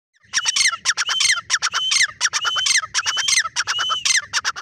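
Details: Partridge (teetar, tagged as grey francolin) gives loud, harsh, rapid squawking notes broken by short whistled slurs, delivered in fast bursts with scarcely a pause.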